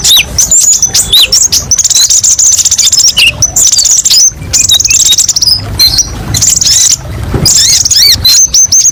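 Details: Brown-throated sunbird (kolibri ninja) delivering spicy, sharp song phrases for song tutoring: bursts of very high, fast chattering chirps broken by brief gaps, with a few looping slurred whistles at the end.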